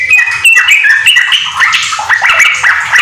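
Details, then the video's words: Yellow-vented bulbul in nonstop ropel-style song with magpie-robin fill, used to train house bulbuls: quick whistled notes blending into a rough, chattering stretch, over a low rumbling background. "trucukan gacor ISIAN MURAI TERBAIK untuk masteran"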